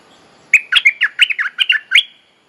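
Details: Bulbul mating-call lure used to tutor young birds: one clear, lively phrase of about ten quick, rolling, warbled notes.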